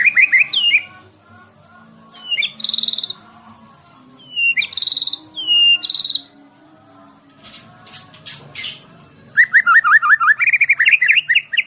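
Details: Caged Medan white-rumped shama, 11 months old, 24 cm contest bird filled with mimicked songs, producing varied phrases: rising whistles, buzzy flat notes, sharp clicks, then a rapid chattering rolling series at the end.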